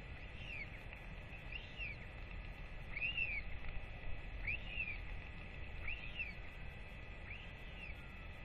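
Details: Hungry Northern royal albatross chick, off its nest since early July, fed by both parents on 8 October 2024; curved, whistled cries come about every 1.4 seconds against a low, steady wind roar.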